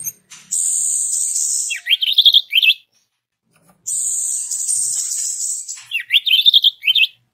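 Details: Orange-headed thrush song used as a lure to make other orange-headed thrushes sing: a long, steady, high whistled note, then a quick run of looping, slurred notes. The phrase repeats after a short pause.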